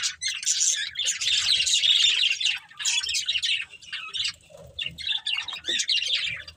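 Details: A breeding pair of budgerigars in a family group produces a long, dense run of buzzy, high warbling chatter, then shorter chirp bursts with brief pauses.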